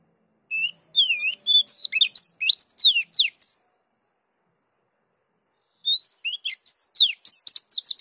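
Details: White-eye, pleci dakun type, in ngerol song: a run of clear swooping whistles and down-slurred notes, about two seconds of silence, then more fast, high slurred notes.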